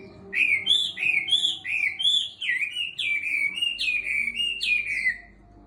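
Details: Chinese hwamei about six months in a cage, regaining its fire after molt: a continuous string of bright, wavering whistled notes, each dipping and curling upward, repeated nearly twice a second.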